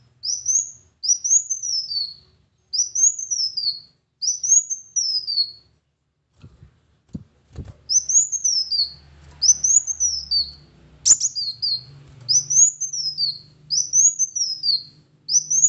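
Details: Sunbird, known locally as kolibri wulung, singing to prompt a quiet bird to sing: a series of high, thin arched whistles, each rising then falling, repeated about once a second, with a short gap and faint low rumbles midway.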